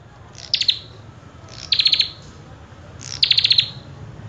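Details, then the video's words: Common tailorbird singing persistently: three brief, bright clusters of quick chipping notes, about a second apart, sliding slightly downward. Faint low rumble underneath. "Prenjak Kepala Merah Gacor Full isian"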